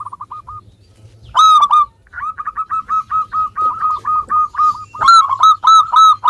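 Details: Local zebra dove in full song, meant to coax reluctant birds into singing: a near-continuous stream of short, rhythmic cooing notes broken by two loud, rich, rolling phrases.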